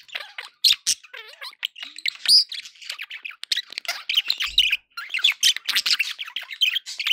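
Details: Happy budgerigars chattering nonstop, a busy mix of harsh squawks, short clicks, squeaky whistles and fast warbled notes from more than one bird.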